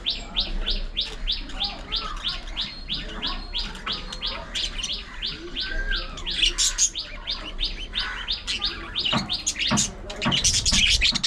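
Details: Pet budgies playing, grooming and squabbling: a steady series of short bright chirps, about two per second for several seconds, then livelier mixed warbling chatter and squawks that grow louder toward the end.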